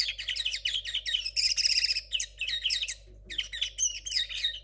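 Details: A 2022 linnet hybrid still working out its song gives rapid, repeated chirps, a buzzing trill, a brief gap, then more twittering notes mixed with thin whistles, over a background hum.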